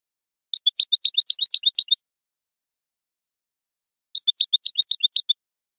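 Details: European goldfinch song from a tutor recording used to teach young birds: two bursts of quick, twittering high notes, each about one and a half seconds long, separated by a pause of roughly two seconds, with no background noise.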